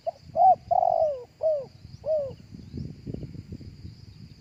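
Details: Spotted dove cooing live, for luring other doves with a loudspeaker: one phrase of five mellow coos with a long descending middle note, followed by low rustling and thumping noises.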